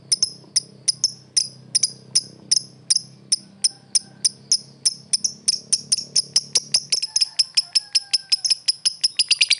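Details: Lovebird calling a rival: sharp, high, clicking chirps repeated about every third of a second, speeding up into a rapid stutter toward the end, with a faint low hum underneath early on.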